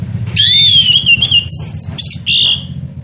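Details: Orange-headed thrush singing as a lure: a continuous, clear, high whistled phrase with wavering, gliding notes that dip and rise, over a faint low hum.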